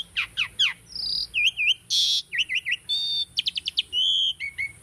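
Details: Tame caged Asian starling singing a training song: a rapid, varied medley of high whistles, downslurred chirps, buzzy rasps and clicking trills in quick succession, with short pauses between phrases.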